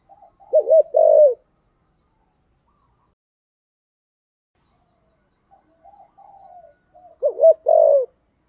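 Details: Spotted dove singing in the giọng thổ style: two low, hollow coo phrases, each a quick wavering double note followed by a longer drawn-out coo, separated by about six seconds of near silence with faint soft notes.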